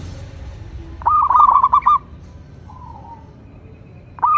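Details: Local zebra dove delivers one quick burst of rolling, staccato coos lasting about a second. A faint lower note follows, then the start of another phrase at the end.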